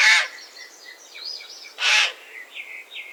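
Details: Two loud, rasping raven caws about two seconds apart, with thin whistled notes from other birds between and after them.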